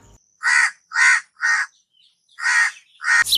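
A crow gives harsh, hoarse caws: three in quick succession about half a second apart, a brief pause, then two more, ending in an abrupt click.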